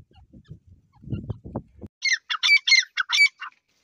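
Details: Francolin (teetar) calling: after a few low thumps and knocks, a burst of about seven harsh, grating, high-pitched notes follows in quick succession over a second and a half.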